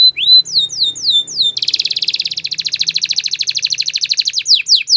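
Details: Spanish Timbrado canary training song: several falling whistled slurs, then a long, very fast metallic trill lasting about three seconds, ending with sharp descending notes.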